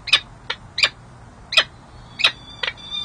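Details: Peregrine falcon pair courting on a San Jose City Hall ledge in January 2024, the female soliciting the male: seven quick grating chup notes at uneven intervals, then a thin steady whistle near the end, with a low background hum.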